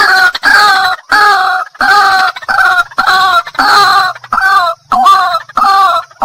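White-breasted Waterhen calls with loud, harsh, nasal croaking notes, repeated rapidly about every half second to second in an insistent series.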